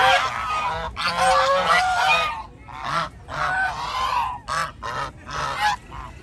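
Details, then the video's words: A wandering flock of geese in a park, many birds honking at once in dense, harsh bursts, then shorter separate blasts toward the end. "The flock of geese is wandering around in the park | Đàn Ngỗng đang dạo chơi trong công viên"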